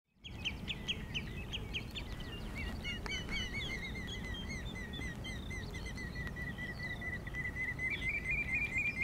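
Several common redshanks call almost non-stop, with quick, ringing piped notes that often slur downward, sometimes run together into chattering bursts, over a steady hiss of rain.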